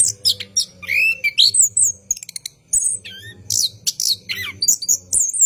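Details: Orange-headed thrush at night delivering a long rolling ngerol song for training cage birds: clipped high notes, rising and falling slurred whistles and a brief rapid rattle, over a low background hum.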